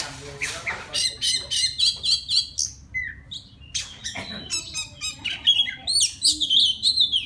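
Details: Wild white-rumped shama song directed at a female: a fast train of harsh, buzzy repeated notes, a short pause, then scratchy chatter and clear sweeping whistles near the end.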